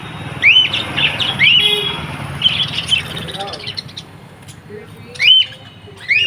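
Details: Lovebirds calling with scattered high, squeaky upslurred chirps, singly or in pairs, with gaps of up to three seconds, against a steady low rumbling background and faint lower-pitched chatter.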